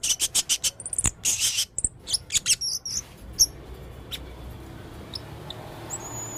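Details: Male blue-crowned hanging parrot in lively 'gacor full isian' song: a quick burst of high buzzy chirps and clicks in the first three seconds, then near quiet with a few faint distant notes.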